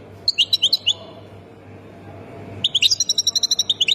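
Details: European goldfinch of the Khemis Miliana sector type, Ain Defla province: two bursts of quick, bright twittering notes repeated about four per second, separated by a quiet pause, over a steady low hum.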